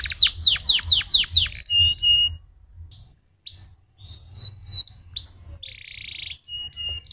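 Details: Stimulating canary song to prompt other canaries to sing: six quick downward-slurred whistles in a row, then varied chirps, rising and falling whistles, a short pause and a harsh buzzy rasp among sharp notes.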